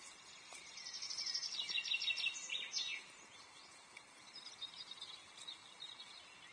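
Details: Osprey chick chirping to its mother from inside the paler third egg as it hatches at a Loch Arkaig nest, 30 May 2023, with volume boosted; dense run of thin high chirps for about two seconds, then fainter scattered peeps over hiss.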